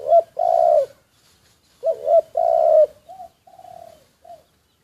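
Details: Spotted dove used as a decoy bird, secretly recorded, repeating a low two-part coo twice, a clipped note then a long smooth coo, followed by softer, fainter trailing coos.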